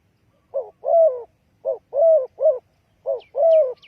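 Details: Spotted dove, used to lure birds into a trap, giving rapid hollow coos in pairs and triplets, each a short note before a longer, slightly falling one. A brief high twitter comes near the end.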